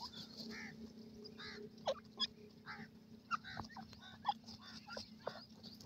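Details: Francolin, known locally as irani teetar, with chicks while playing and feeding; short harmonic chirps and soft clucks scattered irregularly, mixed with sharp clicks and tapping from pecking, over a steady low hum.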